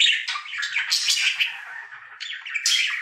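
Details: A male budgie kept as a pet sings his daily routine in a room, a dense rambling warble of rasping chatter, sharp clicks and high chirps without pause.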